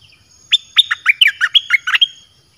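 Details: Red-whiskered bulbul kept in a cage, delivering a Dok Taeng song meant to draw in wild birds: a varied phrase of about nine clear, warbled notes that alternately rise and drop, over a quiet background.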